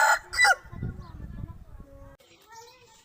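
An Aseel rooster gives a harsh, loud crow that opens strongly and trails off, followed by lower rumbling and an abrupt cut to another faint passage.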